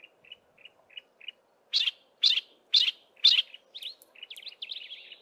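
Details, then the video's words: A single yellow-breasted apalis in a thick wooded valley west of Grahamstown gives part of its duet call: soft, high notes, then four loud buzzy notes about twice a second, ending in quick chattering phrases. Its mate does not answer, and a faint hum runs underneath. "Yellow-breasted Apalis calls"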